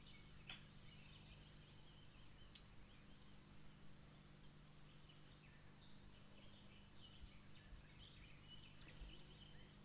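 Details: Long-tailed tit at Tottenham Marshes in the Lea Valley, London, a mixed habitat. It gives very high, thin peeping notes, singly or in short clusters, spaced a second or more apart over a steady low hum.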